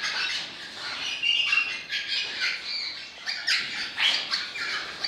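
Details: Crimson rosella of an orange-blue fallow colour mutation, calling with a steady run of rough, scratchy squawks, closely spaced bursts throughout with slight pauses between groups.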